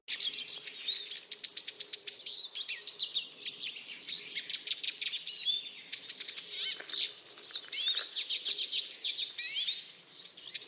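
Eurasian siskin giving a fast, unbroken high twitter laced with wheezy rising and falling notes, several per second, over a faint low hum.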